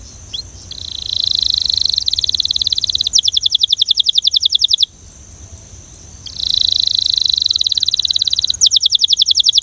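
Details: Belgian canary singing in phrases of fast, even trills, each rattling for a few seconds before a short pause, then starting again with a higher, finer trill; faint steady hiss in the background.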